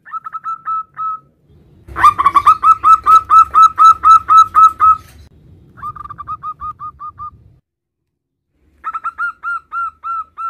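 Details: Local zebra dove, a male calling its mate: soft opening coos, a loud sustained run of about fifteen rhythmic rolling notes, a quieter trailing series, then another burst of clear coos.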